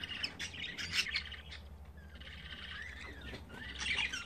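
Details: Budgerigar chicks on their fifth day of development, the third having hatched the night before: rasping, chirpy calls in short bursts, loudest near the start and end, over a steady low room hum.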